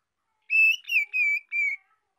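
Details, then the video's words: A young female white-rumped shama sings, used to stimulate males: four clear, slightly wavering whistled notes in quick succession, fairly high-pitched, with nothing else heard. "Tiếng chòe lửa mái non hót kích trống hiệu quả"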